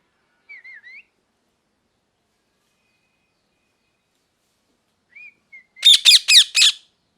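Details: Parrot making a few soft, wavering whistled notes, a long pause, two more brief whistles, then a rapid run of four loud harsh squawks near the end.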